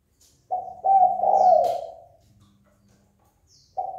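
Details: Spotted dove cooing to provoke fighting: one low phrase of short notes running into a long sustained coo that fades, then the next phrase begins, with faint higher chirps in the background.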